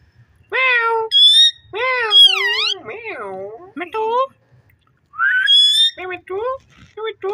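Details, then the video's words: Ring-necked parakeet talking in a string of clear, voice-like syllables, nasal and harmonic with swooping rises and falls, some whistled high notes, in quick bursts separated by short silences. "Amazing parrot talking"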